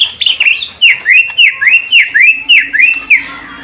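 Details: Greater green leafbird being paired with a female: a rapid run of about eight loud, clear whistled notes, each sliding sharply down then up, delivered almost without pause over a steady low hum.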